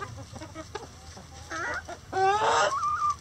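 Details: Chickens in a coop: soft, scattered clucks at first, then a rising harmonic call, ending in a loud, harsh squawk with a steady high tone trailing off.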